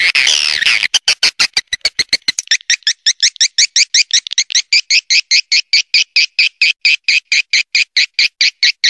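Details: Swiftlet roosting call in the Triple Queen style: a harsh noisy burst for about a second, then sharp clicks and a long, steady series of bright, quick twittering chirps, roughly two per second.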